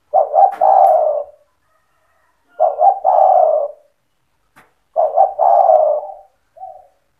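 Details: Singing spotted dove in 'cetretan' style, a song to set off other doves: three loud coo phrases about every two and a half seconds, each a quick broken double note and a long rolling coo, the last followed by a short soft coo.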